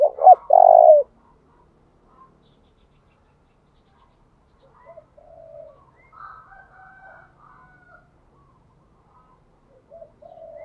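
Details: Decoy spotted dove calling to lure wild doves with the 'thúc' coo, repeatedly changing its phrasing. One loud double-note-and-held-coo phrase opens, followed by long near-silence with faint soft cooing murmurs.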